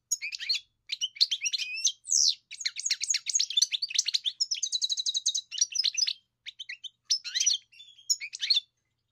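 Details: Steady twittering song of a European goldfinch, fast chattering chirps with a rapid rattling trill near five seconds, easing into scattered notes toward the end.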